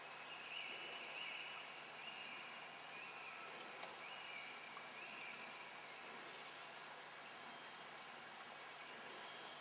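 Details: Hazel grouse on a lek in spring in Russia: faint, very thin high whistles in short, slightly descending bursts from midway on, over steady hiss, with one longer level tone early on.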